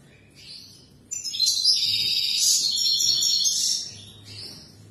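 European goldfinch in full song: a rapid, tinkling run of liquid twitters and buzzy trills, high-pitched and continuous for several seconds, with quieter chirps before and after.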